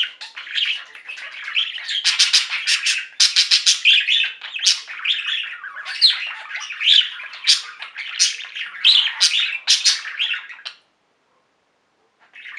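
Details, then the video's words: Singing pet budgie flock: lively bursts of rapid chirps, clicking trills and buzzy warbling, many birds together, stopping abruptly into silence near the end before a faint chirp returns. "Most Beautiful Budgie songs Ever: Budgies singing and chirping"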